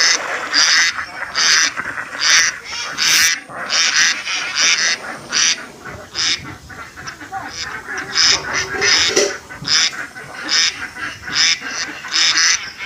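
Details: A group of village ducks playing in water in Assam quack in harsh, nasal, overlapping bursts, roughly one burst a second, over a steady watery background hiss.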